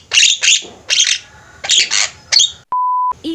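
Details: A flock of Javan mynas calling busily, recorded as a master track for training birds. Five harsh, raspy bursts arrive in quick succession, followed by a steady electronic beep and the start of another rough call.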